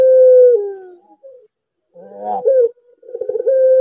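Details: Barbary dove, a domestic pelung-type dove kept to call day and night, giving a long steady mid-pitched hooting coo that slides lower, then a rolling trembling phrase and another held note, used as a lure for other doves.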